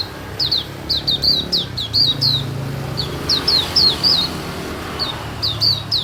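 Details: White-eye kept on a terrace repeating rapid, high, downslurred whistles in irregular bursts, roughly three or four notes a second, with a low background rumble like passing traffic.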